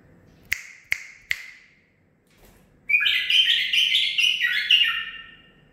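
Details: Three sharp clicks spaced evenly, a pause, then a male bulbul aged nine months sings a sustained, varied warbling phrase lasting nearly three seconds.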